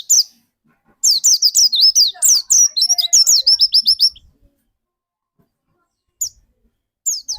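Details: White-eye of the pleci dakun type used as a lure for other white-eyes. One sharp note, then a three-second string of rapid, high, falling chirps, a long silence, and two short bright notes near the end.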